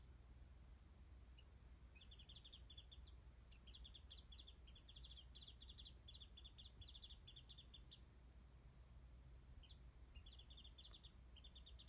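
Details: Warbling white-eye singing up in a tree above a backyard feeding spot with mandarin oranges, recorded distantly by phone: bursts of rapid, high, jingling twitter separated by short pauses, over steady low background noise.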